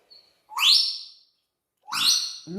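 A pet parrot gives two loud, harsh, piercing screeches about a second apart, each rasping and high. A woman's voice begins right at the end.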